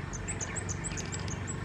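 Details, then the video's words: A Pale-billed Flowerpecker at Sondekuppa Kere, preening and puffed up, gives thin, very high ticks in a quick series, several per second, over a low rumble of background noise. "Pale-billed Flowerpecker preening and calling"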